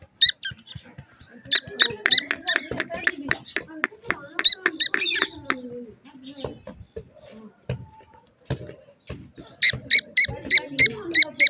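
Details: Captive-raised Dakhni francolin (teetar) chicks give rapid, thin, high peeping chirps in bursts, several per second, while a man talks over them.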